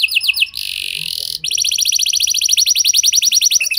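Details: Canary lure song for drawing other canaries into song: a few quick swept notes, a harsh steady buzz, then a long rapid rolled trill of bright chips.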